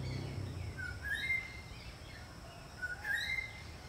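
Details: Two rising whistled calls from a greater racket-tailed drongo, each a short lower note jumping up to a longer ringing higher whistle, about two seconds apart, against a dull background rumble.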